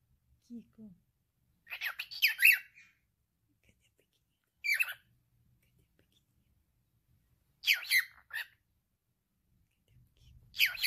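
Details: Pet male cockatiel talking in scattered gritty bursts, a longer chattering phrase first and then shorter ones roughly every three seconds, with a soft low sound at the very start.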